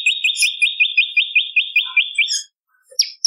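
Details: Rhythmic series of clipped, upward-flicking chirps from a bar-winged prinia, a lure sound for trapping birds, stopping abruptly, followed by a short gap and a couple of stray high notes.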